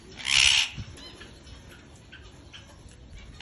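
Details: Parrot giving a single short harsh squawk, broadband and noisy, lasting about half a second near the start, followed by quiet background with faint rustling.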